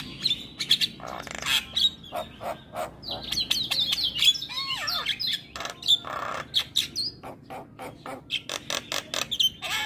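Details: Black-winged myna song rich in varied phrases, meant as a lure and master recording for young mynas. Dense clicking chatter, then a run of wavering slurred whistles, followed by repeated sharp chips.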